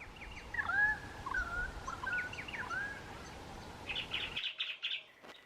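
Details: A currawong calls as it flies off, giving a series of ringing, slurred whistles that swoop up and down, followed by a quick burst of higher, chattering notes from another bird.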